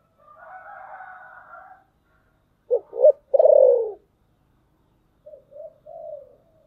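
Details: Decoy spotted dove calling in the thunder-voice style to lure wild birds: a wavering drawn-out tone, then two short coos and a long falling coo, then a softer trailing three-note coo phrase.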